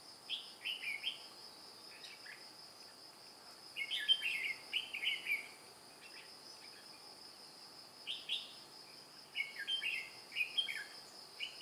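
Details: White-cheeked red-whiskered bulbul serving as a trap decoy to lure wild birds, wing-flapping and tail-beating like an old bird, recorded 2 July 2018. It delivers clusters of quick, jaunty warbled notes in two main bouts, with a persistent high-pitched insect whine throughout.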